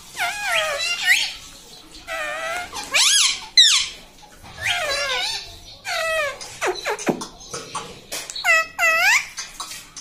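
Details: Pet talking parrot kept at home, producing a string of squeaky, harmonic, up-and-down warbled calls in bursts about every second, some short and sharp, others drawn out, in a quiet small room.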